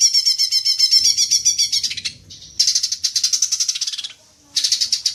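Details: Green magpie lure call meant to trigger long chattering: fast rattling chatter with bright harmonic notes, broken by two short pauses before the rapid rattling resumes.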